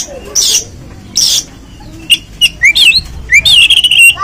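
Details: Oriental magpie-robin used as a lure to provoke another bird into singing and opening its tail; two broad buzzy bursts, then clear whistled notes rising and falling around the upper-middle range, ending in a sustained warbled phrase.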